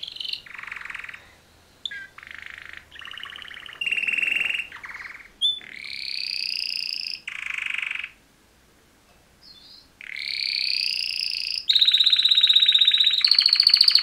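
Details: Male canaries, two of them, in mating song: alternating low buzzy rattles and higher rolling trills, a silent pause, then loud sustained rolls with a pure steady whistled tone.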